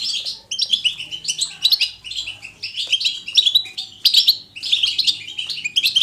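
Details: Goldfinch 'batbata' song, natural and energetic, offered to spur a goldfinch into singing: fast, jangling chatter of high twittered notes running in quick bursts separated by short gaps.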